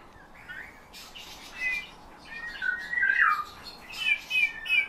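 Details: Eurasian bullfinch schooled in song by its owner, imitating his whistle as well as nightingale and thrush phrases. Rising and falling whistled slides build in loudness, with rapid repeated notes near the end over faint creaky undertones.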